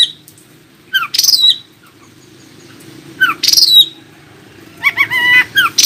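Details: Oriental magpie-robin song meant to prompt other magpie-robins to reply and sing: loud whistled notes with rising and falling slurs in spaced bursts, ending in a quick run of chirps, with low steady hum behind.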